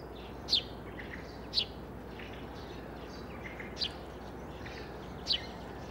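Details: Eurasian tree sparrow recorded in Sweden, singing, calling and warning: four sharp, high chirps, each short and bright, spaced one to two seconds apart over a steady low background hiss.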